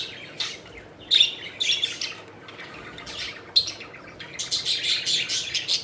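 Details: Pet budgerigars at play and in flight, bursts of bright chirping and chattering separated by quieter gaps, rising into dense overlapping warbles near the end.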